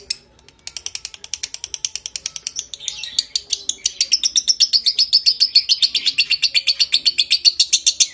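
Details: Lovebird's long ngekek trill, konslet style, from a training recording meant to bring on breeding condition: sharp, high clicks that start sparse, then grow louder and faster into a dense, ringing chatter.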